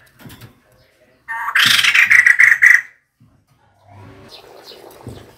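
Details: Female White-crested Laughingthrush heard calling as a decoy: a loud, grating burst of rapid pulses for about one and a half seconds, with faint low sounds before and a soft murmur afterward.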